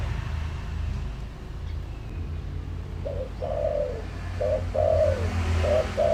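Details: Decoy spotted dove's full lure calling, meant to stir wild doves: three seconds of low rumbling background, then short mellow coos in quick two- and three-note groups, growing louder toward the end.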